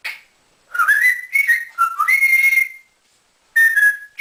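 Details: Male African grey parrot kept as a house pet, taught to whistle like a builder, giving bright, clear whistles that rise and waver, then a pause and a final steady whistled note.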